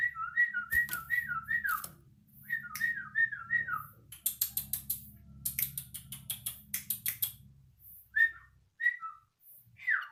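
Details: Yellow-vented bulbul learning to sing: two runs of quick, slurred whistled notes, then a stretch of scattered clicks and ticks, and a few isolated whistles near the end, over a soft low hum.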